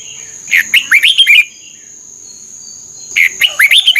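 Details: Red-whiskered bulbul song played for training caged birds: two bursts of five or six quick, loud slurred whistled notes, rising and falling, separated by a pause of nearly two seconds, over a steady high electronic whine.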